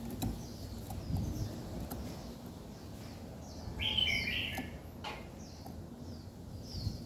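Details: Birds singing at daybreak: soft high chirps repeated at intervals, one short bright warbled burst in the middle, then more thin downslurred notes, with low background rumble.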